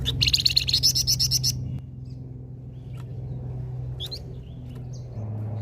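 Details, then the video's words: Lively flamboyan song meant to lure flocking birds: a rapid burst of high, buzzy repeated notes lasting about a second and a half, then scattered faint chirps over a low background hum. "flamboyan gacor cocok pancing burung ombyokan"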